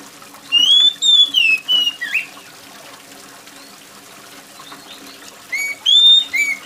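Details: Loud, piercing oriental magpie-robin song, gacor-style, meant to make other magpie-robins join in. Sweeping whistled phrases, arched and rising, in two bursts with a silent gap, over the trickle of rainwater.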